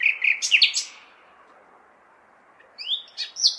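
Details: Nightingale song on a May night recorded in a big city: a jumble of sharp chirps, about two seconds of quiet, then a rising whistle and short bright notes, with low continuous traffic noise.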